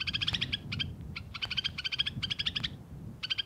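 White-winged snowfinch giving quick runs of high, buzzy chattering notes in bursts separated by short pauses, over a faint low rumble.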